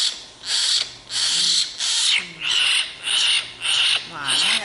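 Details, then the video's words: Young tame common hill myna, sulking and begging to be fed bread: loud, harsh, hissing screeches repeated roughly every 0.6 seconds, seven rasping bursts in a row with a faint hum underneath. "Anak Beo Ngambek Mau Makan Roti"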